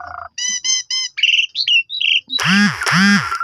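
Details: Black-collared starling song played as a lure to draw replies from other starlings: a low buzzy note, three clear stacked whistles, then mid-pitched rasping notes and loud harsh arching squawks at the end.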